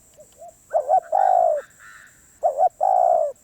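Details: Cooing of a wary wild spotted dove: a quiet lead-in note, then a doubled coo and a long, level, throaty coo, the pattern repeated after a short gap; a steady high whine runs beneath.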